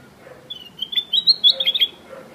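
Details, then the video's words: Black-crested bulbul calling loudly: a quick string of clear, high chirped notes, rising and tumbling together in the middle of the clip before fading. The background is quiet. "Black Crested Bulbul is calling loudly - Bulbul song"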